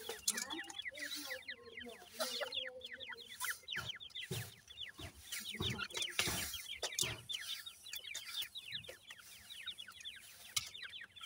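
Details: New-season grey partridge chicks peep continuously, many high, falling notes piling up quickly over several seconds. Lower chirps appear early on, and dull knocks and rustles punctuate the chorus.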